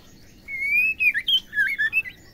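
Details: Female white-rumped shama voice, used to stir males into song: a long, steady whistle that climbs slightly, then a rapid run of looping, warbled whistled notes.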